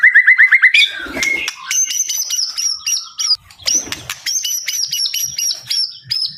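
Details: White-rumped shama, murai batu, singing: a quick series of short falling notes, then sustained high whistles broken by sharp chipping strokes, with a brief flutter of wings.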